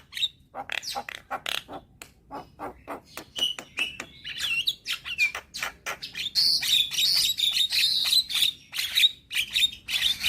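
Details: Young Javan myna in persistent song: a rapid string of dry clicking notes, then louder harsh chatter with rising and falling whistled slurs woven in, growing denser toward the end.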